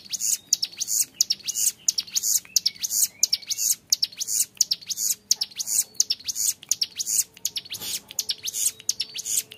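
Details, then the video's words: Hill prinia, a young bird, in sustained 'ngebren' song: an unbroken stream of piercing high chirps and sharp ticks, several notes each second, clear and continuous throughout. "MASTERAN CIBLEK GUNUNG MUDA GACOR NGEBREN PANJANG SUARA JERNIH"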